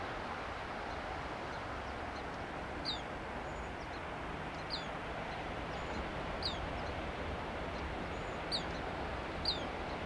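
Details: Black phoebe perched on an arroyo willow at Asilomar Dunes, California, repeating sharp, high, downslurred chip calls about once a second, with faint thin high tones between and a continuous low rumbling background.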